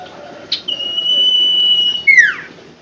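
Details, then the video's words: Common Iora (sirtu) lure song: a drawn-out level whistle held about one and a half seconds, ending in a sharp falling slur. "pancingan sirtu macet bunyi & malas bunyi"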